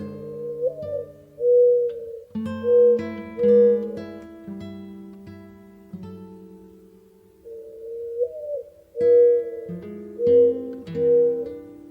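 Plucked guitar music plays throughout, with gentle chords and repeated notes and no animal calls.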